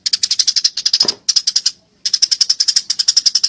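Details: Fighting Eurasian tree sparrow gives a steady, rapid series of sharp chirps, nearly four per second, pausing once before resuming; a brief low thump is heard near the start.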